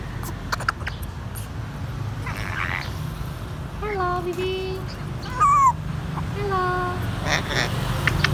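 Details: Pet grey parrot saying hello to its owner: a few short voiced tonal phrases with rich harmonics, one rising then falling, mixed with a woman repeatedly saying "hello baby" over a steady low hum.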